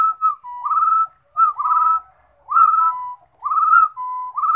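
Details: Rufous-throated partridge song of soft whistled phrases, a brief rising note then a longer level whistle, sometimes a lower tone between, repeated about once a second; no background noise.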